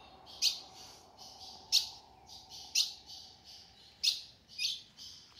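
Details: A female ultramarine grosbeak calls in the caatinga sertão to get a male going; sharp bright chips come about once a second, each trailing into a softer, buzzy hiss, over faint steady background noise.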